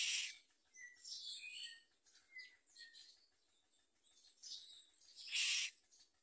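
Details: Common myna chicks with their mother at the nest, eating little and trying to bite her; harsh, hissing broadband bursts open and close the stretch, with short thin chirps and squeaks scattered between them.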